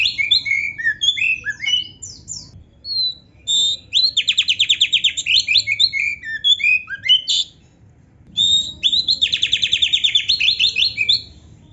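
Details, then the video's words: Training song of an actively singing Oriental magpie-robin with complete canary fill-in phrases: varied whistles, long rapid pulsing trills, a quiet gap, then a renewed run of fast repeated notes. "suara Kacer gacor isian komplit | Masteran Kacer ISIAN Burung Kenari"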